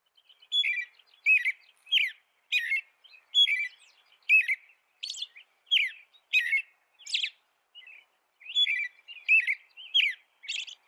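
An American robin sings a steady run of short, clear caroling phrases, about one every second, rising and falling in pitch, with no other sounds.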